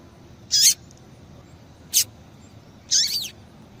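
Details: Female seedeater calling repeatedly, used to stimulate males to sing: three sharp, very high chips, the last a twisting, slurred note, spaced about a second apart against quiet background hiss.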